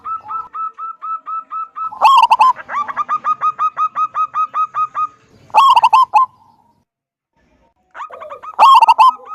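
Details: Wild local zebra dove singing to draw others into calling: a run of short even coos, then loud stuttering bursts followed by fast trains of clipped coos, several doves overlapping, with silence near the end.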